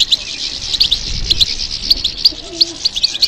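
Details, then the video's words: European goldfinch song given in response to stimulation, a continuous bright twitter of high, quick chirps and tinkling notes over a steady high background hiss. "How to encourage the goldfinch to respond to stimulation"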